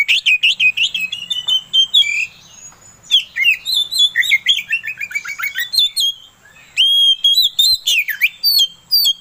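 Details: Oriental magpie-robin (kacer) song used as a pancingan lure to rouse another kacer into singing: rapid, varied whistled phrases, sweeping slurs, trills and chattering notes, almost continuous, with one brief pause near six seconds; faint low hum beneath.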